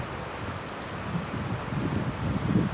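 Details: Grey wagtail on the bank of the Hönne river in Menden: sharp, very high tsit notes in a quick cluster of four, then a pair, over low rustling and wind-like background noise.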